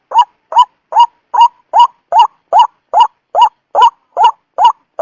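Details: White-breasted waterhen call used as a trapping lure: loud, harsh rising notes around one pitch, repeated steadily about twice a second, each a short nasal 'wak', over a silent background.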